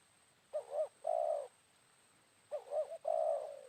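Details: Spotted doves calling at midday after morning rain, a wild bird responding to a caged decoy during bird luring: two quick rising-falling notes then a long steady coo, phrase given twice about two seconds apart, faint constant high whine throughout.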